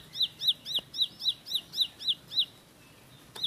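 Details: Bar-winged prinia song: nine quick, evenly spaced, sharp descending whistles, about four per second, then a brief quiet gap and a final click.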